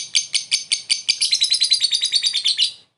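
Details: Lovebird luring a rival with a short ngekek: evenly spaced shrill notes that speed up into a quick, tight rattle, fading out after nearly three seconds.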